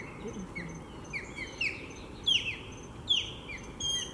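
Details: Nesting osprey pair with three chicks, Lake Seminole Park, Seminole, Florida, driving off another osprey: piercing, down-slurred whistled cheeps rising in intensity, grouped in quick pairs and triplets.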